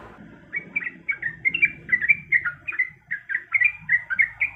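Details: Female yellow-vented bulbul calling a male while in breeding condition: after a brief quiet start, a steady series of bubbly chirped notes, about four per second.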